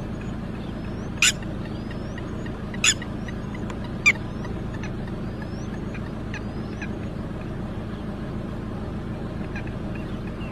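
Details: Red-wattled lapwing calling after losing its chick: three loud, piercing notes spread over a few seconds, with faint thin whistles from another bird and a low steady hum behind.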